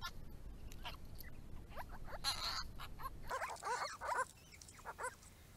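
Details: Grey-crowned Babbler group at their pond, a mix of quick falling notes, a short harsh rasp, then louder overlapping slurred chatter from several birds.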